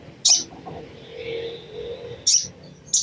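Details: Crimson sunbird chattering, used to trigger other sunbirds to sing: brief, very high, sharp chip bursts spaced about two seconds apart over a low murmuring background.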